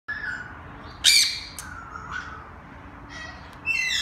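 A peach-fronted conure gives harsh, grating screeches: one loud burst near the start, then quieter rasping notes and a final shrill squawk.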